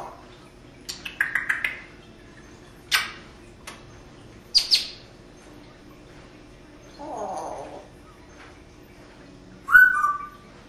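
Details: Female pet parrot at a window in Las Vegas, Nevada, making sound effects: a run of short chirps, clicks and taps, a soft low hooting blur, then a bright whistled note falling at the end.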